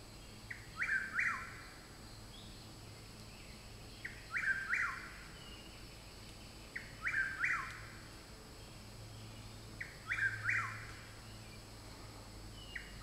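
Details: Wild Chuck-will's-widow singing in the woods near a house. Five rhythmic three-part phrases repeat roughly every three seconds: a quiet opening note, then a loud whistled rising-and-falling pair. There is constant background hiss.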